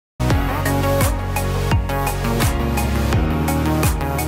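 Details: Loud electronic dance music with heavy bass drops and pounding beats, no animal sounds present.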